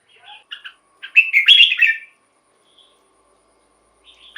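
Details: Red-whiskered bulbul, a caged bird, singing a song played to excite other caged bulbuls: one rich warbled phrase of several quick slurred notes lasting about a second, with a few softer chirps before and after.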